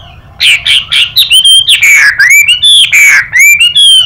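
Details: Chinese hwamei singing alongside a calling female: a rapid run of loud, varied whistled notes, some sliding down and others rising, delivered in quick bursts with brief gaps.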